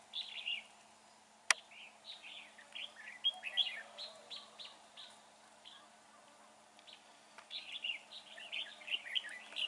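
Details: Red-whiskered bulbul held in a fighting trap under dark, overcast skies, delivering quick runs of chirpy, warbling notes in bursts, with a sharp snap early on and busy chattering toward the end.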